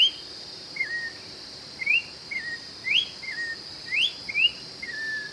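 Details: Brazilian orange-backed troupial (joão-pinto) singing a loose, repetitive pattern of about one whistled note per second, bright rising glides mixed with lower drawn-out whistles, while a continuous shrill hum runs in the background.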